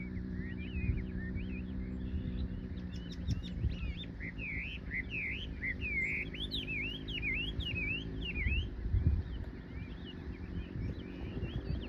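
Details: Birdsong in spring after cherry blossom, 2 April 2022, at a riverside cherry embankment park on the Nishi-Kinugawa's left bank, Japan: a lively run of sharp, swooping chirps, loudest mid-clip, with steady low machine-like hum beneath.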